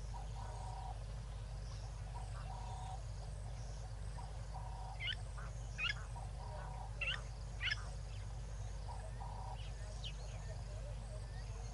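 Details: White-faced whistling ducks with four ducklings at a waterhole in South Africa, late February, 6 PM: several short, sharp, rising whistles in quick runs over a steady low rumble of background noise, with faint chirps from other birds.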